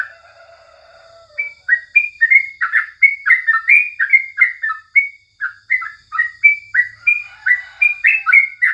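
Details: Tutor recording of a sooty-headed bulbul singing in the morning: a soft low note first, then a long, lively string of chattering, bubbling whistles, rising and falling, with one short pause midway.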